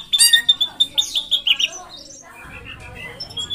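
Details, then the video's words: Drongo in energetic rolling song: a quick burst of high sharp repeated notes, then a softer run of varied chattering and warbled phrases at a lower pitch. "Srigunting gacor ngeroll panjang"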